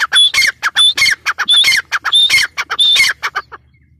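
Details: Grey partridge (teetar) calling: a rapid run of loud, harsh squawking notes with thin whistled overtones, phrases repeating roughly every half second before stopping near the end.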